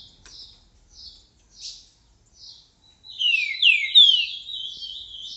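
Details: Green-winged saltator in boca mole song at 10:40 on 29 December. Soft, spaced chirps come first, then at three seconds a loud burst of sweeping downslurred whistles runs into a dense warble.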